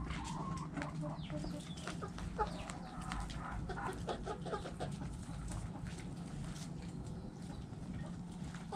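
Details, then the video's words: Chickens feeding in a backyard coop, hens clucking while roosters crow; busy overlapping clucks and brief chattering notes fill the clip over a constant low droning hum. "Hens Clucking Roosters Crowing"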